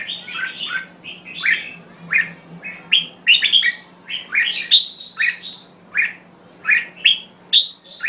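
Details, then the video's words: Thai red-whiskered bulbul delivering a busy, chattering stream of clear whistled and warbled notes, some paired in quick doublets, with brief pauses between bursts; a faint constant low hum sits underneath. "Chào Mào Thái Lan Hót Cực Hay"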